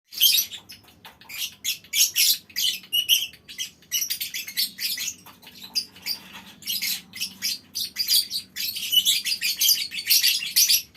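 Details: A colony of lovebirds in a mini aviary calling so that other birds join in long chattering: dense, continuous high squeaky chatter and shrill chirps from many birds, rising and falling in bursts throughout.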